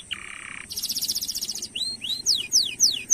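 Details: Lure song of a canary for stimulating other canaries: a flat nasal buzz, then a rapid dense rolling trill, followed by spaced sharp downward-sweeping whistles.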